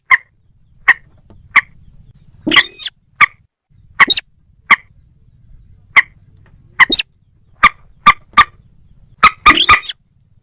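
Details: Moorhen giving single sharp clucks spaced about a second apart, broken by occasional harsh rising squeals and a fast double or triple cluck.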